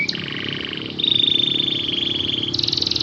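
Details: A canary sings to prompt less eager canaries into song, holding a sustained rolling trill that steps up to a higher, brighter rolled tour before a faster buzzy trill at the end.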